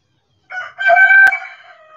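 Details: Loud, close rooster crow from a backyard flock in the sun: a brief lead-in note, then a sustained, strained, harmonic cry held for about a second that fades out gradually, with one sharp click midway.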